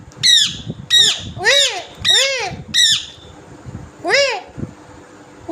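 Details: Green parrot squawking in a short series of five rapid harsh, arched calls about one per second, then a pause and one more, against steady background noise.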